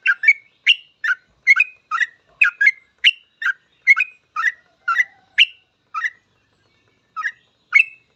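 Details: Sooty-headed bulbul singing a 'gacor full ropel' song meant to teach other bulbuls: steady, chirpy two-part whistled phrases about twice a second, with a short gap before the final notes.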